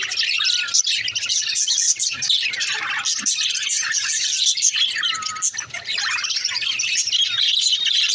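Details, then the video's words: Female budgerigars (parakeets) as pets, with dense, continuous high chirping and warbling chatter, busy twittering notes overlapping throughout, with a few short clearer whistled slides. "parakeet chirping sound"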